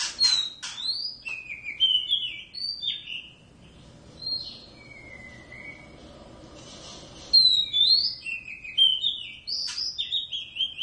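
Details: A home-kept Oriental magpie-robin, part of a wild-caught pair noisy all day, pours out sweet whistled slurs and trills in two bursts separated by a quieter, low drawn-out whistle.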